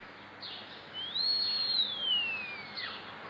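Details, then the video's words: A starling gives one long, clear whistle that climbs high, holds, then slides slowly downward, framed by soft rasping notes; no obvious chicken-like clucking stands out. "Bird Making Chicken Sounds"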